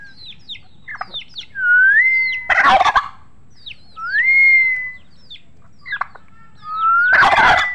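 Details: Turkeys calling, with two long rising whistles and two harsh, rattling gobble bursts, plus short high chirps in between.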